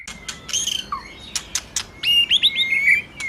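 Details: White-rumped shama song meant to rouse a male, with clicks and a falling whistle, then a quick series of rising whistled phrases ending in a long steady tone.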